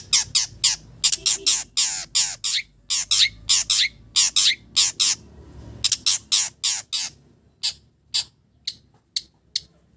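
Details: Long-tailed shrike singing a varied song that imitates village birds: bursts of harsh, buzzy notes in rapid series, a short pause, then sharper separated chirps repeated about once every half second.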